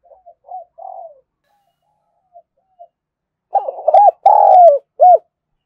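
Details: Spotted dove from Đồng Nai, Vietnam, calling to lure wild birds. Soft faint coos open the recording, then a loud phrase follows: rough low coos, one long drawn-out falling coo and a short final coo.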